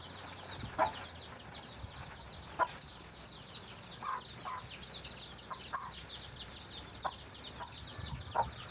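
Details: Chicken calling its chicks to food: irregular short clucks, some loud, about every one to two seconds, over a constant bed of high chick peeps.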